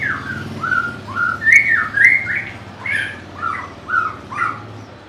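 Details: White-rumped shama, a bird known for a melodious, varied voice, delivering loud, rich whistled phrases that swoop up and down, about two per second, with brief pauses between them.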